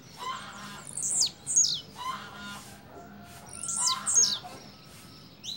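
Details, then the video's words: Blue-black grassquit giving its double song: paired high, buzzy notes that sweep sharply downward, two doubles about three seconds apart, with faint low hum beneath. "Tiziu canto duplo"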